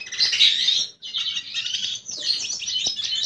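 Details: Red siskin (Spinus cucullatus) male courting a female, singing a continuous, high twittering song of rapid buzzy trills and chirps, broken by two brief pauses.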